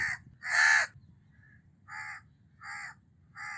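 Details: House crow calling: one loud harsh caw followed by three softer, evenly spaced caws about 0.7 seconds apart, a faint short note between, low steady background hum.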